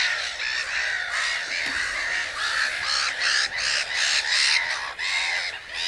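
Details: A flock of common cranes calling together, with many overlapping rasping, trumpet-like notes. The calls swell and dip in loudness about once a second throughout.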